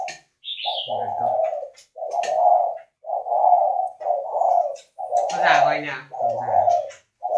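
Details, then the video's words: Northern Vietnamese spotted dove at a breeding facility giving "khách"-style cooing: a steady run of low, throaty coo notes about once a second, with a brief high chirp early on and a man's voice overlapping midway. "chim cu gáy KHÁCH hay miền bắc"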